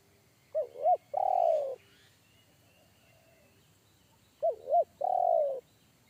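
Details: Deep-voiced wild spotted dove in forest, a bass one-coo style caller that frightened a trainee decoy bird; twice it gives two quick bent coos then a long level coo, phrases about four seconds apart, with faint high whine behind.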